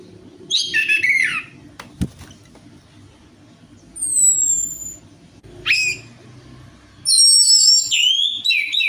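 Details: Orange-headed thrush lure song used to coax a silent bird to sing: short bursts of high whistles and warbles separated by pauses, with a sharp click and a steady low hum between phrases.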